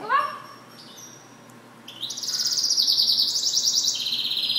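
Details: Goldfinch mule singing: a short rising chirp, then a fast, bright, buzzy trill held high and steady for over two seconds, with pulses repeating rapidly.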